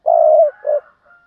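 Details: Spotted dove, a decoy bird used to lure wild doves, gives a low coo: one long steady hooting note followed by a shorter second note, in quiet surroundings.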